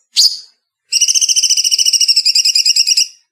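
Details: Bulbul, a songbird-hobby favourite, in a clean-edited training recording: one sharp high whistled note, a short pause, then a fast, even, metallic rattling trill lasting about two seconds, with no background noise.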